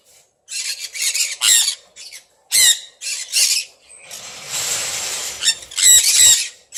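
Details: Captive sun conures in a home flock that includes red factor varieties: rapid, raspy high screeches in clustered bursts, then a longer hissy, noisy stretch and more sharp shrieks at the end.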